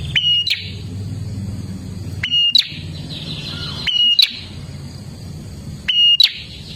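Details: Olive-backed tailorbird singing loudly, used to get caged birds singing: a high whistled note dropping into a short buzz, repeated about every 1.7 seconds against steady low background noise.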